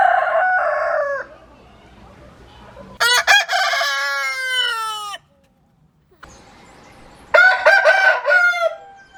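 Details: Several roosters crow in turn: a loud, strained cock-a-doodle-doo with many harmonics drawn out and falling at the end, separated by silences, with shorter crows before and after.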